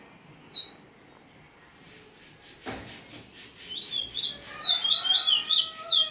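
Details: Bullfinch in free singing: a sharp single chip and some tapping first, then a fast, high, twittering warble that grows louder and runs without pause to the close.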